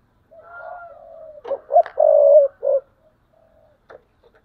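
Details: Spotted dove decoy bird in a cage, cooing in the thúc bổi style: a soft drawn-out lead-in, then a quick run of short notes and one long low coo, with a faint thin whistle above and light clicks after.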